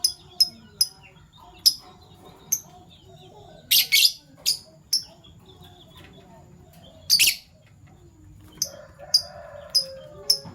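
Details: Two Fischer's lovebirds, violet and Euwing gold opaline colour mutations, in the morning give about a dozen piercing high chirps at irregular intervals, some doubled into short harsh bursts, with quiet gaps between them.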